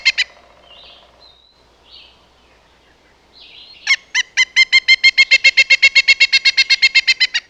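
Woodpecker giving a loud, ringing series of sharp notes, about four per second for several seconds, after a few softer, scattered calls.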